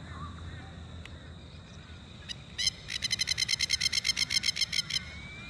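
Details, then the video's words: Masked Lapwings at Oxley Creek Common, Brisbane, on a morning, burst into loud, strident chatter of rapid, harsh 'kek' notes, about four a second for two seconds, warning nearby White Ibis to back off; they might have chicks. "The Masked Lapwings are saying to the Ibis "back off" They might have chicks."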